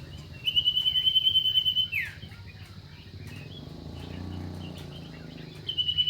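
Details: Sustained high rattling trill from a common iora, closing with a sharp downward slide, then a quieter pause with distant chirps before the trill starts again.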